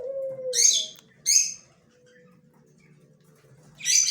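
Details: A yellow male budgerigar recorded on October 9, 2024 gives three harsh, bright chirps, two close together early on and a third after a long quiet gap, with a faint low tone underneath.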